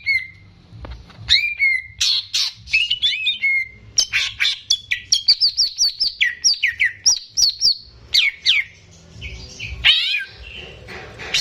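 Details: Greater green leafbird in a cage, recorded as a training model for young birds: a clear drawn-out whistle opens, then a rapid string of chirps, trills and slurred whistles, quickening into a steady stream of notes.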